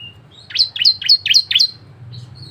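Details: Five quick, sharp chirping notes from a bar-winged prinia, each a high slurred note, followed by a faint thin whistle, from an energetic song used to coax other prinias to sing.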